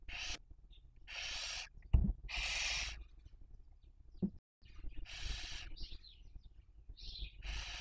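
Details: Barn owl at a nest webcam in Cabañeros National Park, Toledo/Ciudad Real, Castilla-La Mancha, Spain, during the 2023 breeding season while raising young; long breathy hissing bursts, some a second long, with faint thin squeaky notes between and low rumble throughout.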